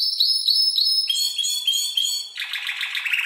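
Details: Spanish Timbrado canary of seven months, tutored by timbrado recordings, gives clear repeated whistled notes about every quarter second, then switches to a buzzier, lower rolling trill.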